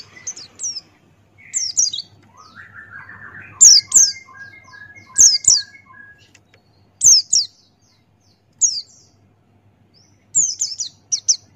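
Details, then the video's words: Tutor recording of a male Buxtoni white-eye singing ngalas with open beak: short groups of two or three thin, falling whistles recur every second or two, over a quiet lower whistling and slight hum. "Masteran Pleci Buxtoni Ngalas Buka Paruh"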